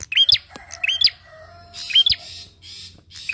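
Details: Energetic bar-winged prinia song, used as a lure to draw song from other birds: repeated hooked, whistled chirps with looping rises, grouped in twos, plus clicks and a soft low hum underneath.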